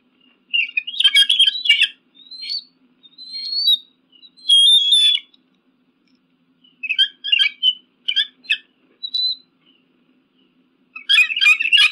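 An eagle gives high, thin chattering bursts, quick piping notes and short whistles in uneven runs of one to two seconds, with a faint low hum beneath.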